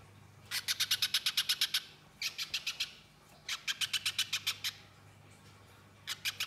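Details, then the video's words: Little spiderhunter in gacor mbeset nyerecet form: repeated bursts of fast, metallic-sounding chip notes, each burst lasting about a second, separated by short pauses. A low hum is audible beneath. "Masteran Burung Pijantung Pisang Gacor Mbeset Nyerecet Suara Jernih Durasi Panjang"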